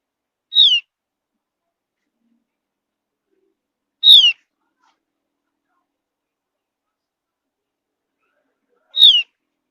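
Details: Javan grey-throated white-eye, a high mountain forest bird eating small seeds and insects, whistling to lure other birds into singing: three short, clear, downslurred whistles spaced several seconds apart, with silence between.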